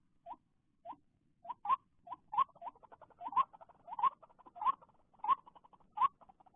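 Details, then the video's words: White-breasted waterhen calling after rain, when many come out, especially in late afternoon, recorded during bird trapping; a run of short upslurred croaking notes, about one every 0.6 seconds, with softer chattering notes between. "jerat burung ruak ruak sehabis hujan"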